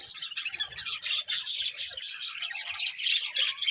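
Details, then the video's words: Colourful budgerigars chirping: a loud, steady wall of high, scratchy warbles and piping squeaks, with sharp whistled notes poking through almost without pause. "Beautiful Colourful Budgies Chirping Sounds"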